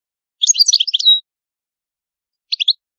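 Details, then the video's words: Palermo Sicilian song of a European goldfinch, old style, clean recording: a quick burst of jumbled high twitters ending in a drawn thin note, then after a pause a brief three-note chirp. "CANTO DEL CARDELLINO DI PALERMO SICILIANO"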